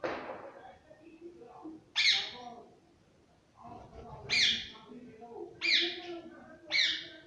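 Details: Household green parrot calling with sharp, harsh screeches, four loud ones spaced one to two seconds apart, over a murmur of lower background sound.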